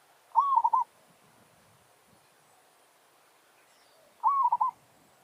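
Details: Zebra dove from a village, luring a wild bird that comes to answer its territorial challenge; two cooing phrases almost four seconds apart, each a rising note and a quick stutter, with faint low background noise.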